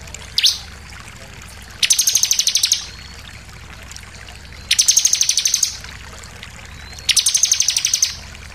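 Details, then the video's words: Bar-winged prinia lure song: three separate bursts of fast, buzzy high trills, each roughly a second long and spaced two to three seconds apart, with a soft low background hum. "pancingan ciblek bahan langsung emosi nembak"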